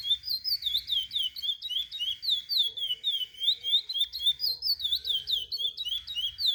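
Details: Teaching song of a chestnut-bellied seed finch for young birds: rapid, liquid whistles swinging up and down, about four per second, forming a continuous rippling melody.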